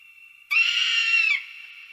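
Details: An eagle's call while stalking prey: a single harsh, high scream lasting just under a second, preceded by a faint thin whistle and trailing off into a quieter tone.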